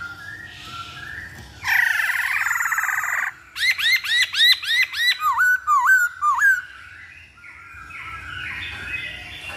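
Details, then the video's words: Masked laughingthrush song meant to provoke a bird to sing: a harsh rasping burst, then about a dozen sharp hooked whistles repeated rapidly, ending in softer jumbled notes. "Pancingan Poksay Hongkong Paling Ampuh"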